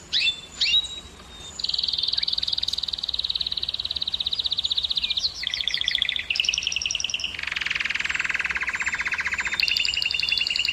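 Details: ['Breeding-stimulation canary song opens with a few sharp notes, then sustained high rattling trills that step between pitches, including a low buzzy rolling section near the end.']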